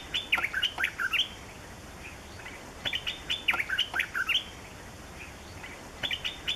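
Yellow-throated Bulbul giving bursts of quick, bubbly, chattering notes, three volleys a couple of seconds apart, over a faint steady insect hiss.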